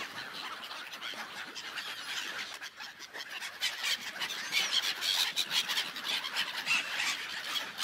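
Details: Crowd of gulls on an ice-covered lake, their shrill overlapping cries building from a moderate chatter into a louder, denser clamour in the second half.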